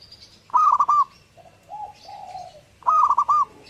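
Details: A zebra dove sings energetically: two rolling, staccato coo phrases about two seconds apart, with drawn-out, softer low coos and faint higher chirps between them.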